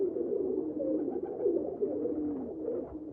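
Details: Low, soft pigeon coos roll on continuously in overlapping burbling phrases, a dense warm murmur throughout with no other clear sounds.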